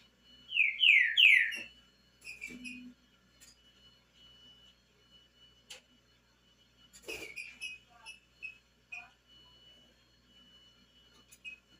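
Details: Green-winged saltator singing a little despite the cold: three loud, quick downslurred whistled notes, then long quiet gaps with faint scattered notes and a low hum.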